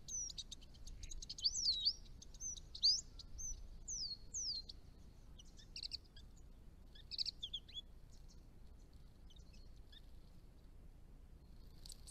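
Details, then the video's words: Chestnut-rumped Thornbill, a small bird on the edge of its range: high, thin twittering notes that curve up and down, clustered in the first seconds, then sparser short chips with quiet gaps and faint background hum. "Chestnut-rumped Thornbill - an exceptional small bird"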